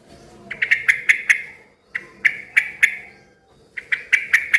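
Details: Yellow-vented bulbul, noisy and vocal, used to make other bulbuls respond: groups of sharp clicking chirps in quick runs of four to six, separated by short pauses, over faint background noise.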